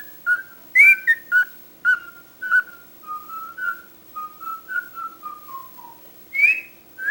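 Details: Talkative cockatiel mixing loud, abrupt chirped syllables with softer whistled notes, then a gently descending string of linked whistles, and a final bright upswept note, all in an otherwise quiet room.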